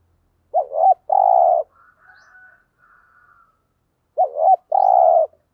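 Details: ["Spotted dove 'thúc gù' cooing, used to trigger wild birds to answer. Two phrases of a quavering double note plus a long buzzing coo, with faint higher soft calls between them."]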